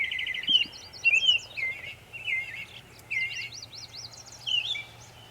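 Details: Northern mockingbird singing in Savannah, New York, on 23 May 2021, making many sounds: short whistled phrases, each repeated a few times in quick succession, with zigzagging and sliding notes separated by brief pauses, over a faint steady hum.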